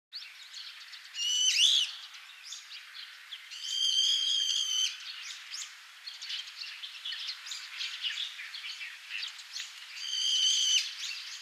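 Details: Brown-eared Bulbul of the Taiwan subspecies, wild on Yonaguni Island; three loud, shrill, harmonic-rich calls near 1.5, 4 and 10.5 seconds, each a strained, drawn-out squeal, over a steady background of softer twittering from other birds.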